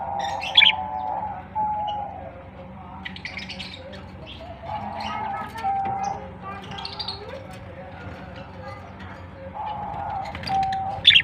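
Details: Baby budgerigars at Larkana, Sindh, on 22 September 2023, chattering in a running warble of nasal, buzzy notes and sharp high chirps in short bursts, over a low steady hum with music.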